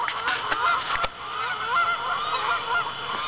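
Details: Evening honking of geese at an Arkansas pond in October, birds flying in and landing around sundown; dense chorus of nasal honks, with a couple of sharp knocks early on.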